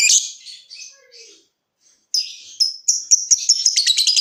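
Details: Lovebird song used to spur other lovebirds into trilling: a squeaky chatter, a brief pause, then a fast run of sharp ticking notes that speeds up toward the end.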